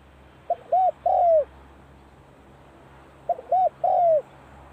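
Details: As the cold season begins, a spotted dove repeats its practice call twice. Each phrase is a brief stutter, then a rounded coo and a drawn-out descending hoot, with the phrases spaced about three seconds apart against a faint low hum.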